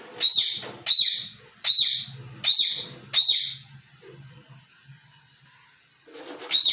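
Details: Pet parrot playing with toy balls and scolding them for moving. Five raspy high chirps come at a steady pace, then a pause with faint low sounds, then another chirp starts.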